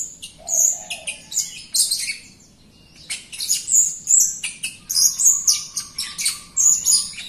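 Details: Jalak Rio myna singing energetically as a lure to train other birds. Dense run of shrill chattering whistles and scratchy squeaks in quick bursts, a brief pause near the middle, then steady rapid phrases again.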